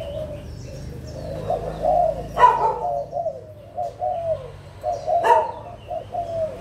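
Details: Adult spotted doves of Malaysian and Thai origin, 16 March 2022, give gentle low coos in separate short phrases, broken by two sharp loud clicks and a few faint high chirps.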